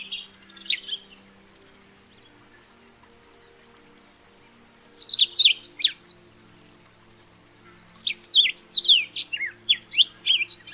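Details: Black-throated Canary, a small African songbird, singing: a brief high chirp near the start, then after a pause two bursts of rapid, sweet, high warbled notes sweeping up and down, each lasting about two seconds.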